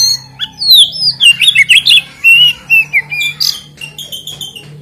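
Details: Oriental magpie-robin singing continuously without chattering notes, a lure to provoke rival magpie-robins: dense rapid whistles, trills and slurred notes, about two per second, then thinner high chips, with a constant low hum.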